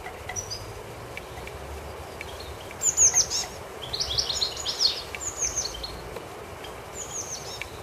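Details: Common blackbird chick alongside its mother in a garden: loud clustered high-pitched chirps around the middle, tailing off into softer repeated squeaks.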